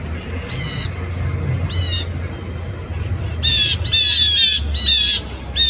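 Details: Blue Jays harassing an Eastern Screech Owl, for the third time in 20 minutes, on 3 January 2018, give harsh, rasping jay calls, single at first, then several birds overlapping in a noisy burst; low wind rumble.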